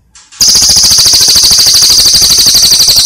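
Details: Master recording of a brown cililin songbird for training other birds, bursting suddenly into a shrill, rapid, rattling trill of closely spaced high notes that continues unbroken.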